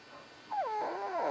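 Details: Pet common hill myna imitating speech: a short slurred, voice-like phrase with gliding, falling then rising tones, close and clear indoors.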